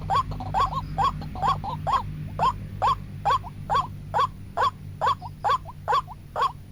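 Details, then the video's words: White-breasted waterhen call used as a trapping lure: a steady series of rough, hooked, nasal notes about twice a second, some early notes doubled, over a rumbling low background. "Pikat burung ruak ruak"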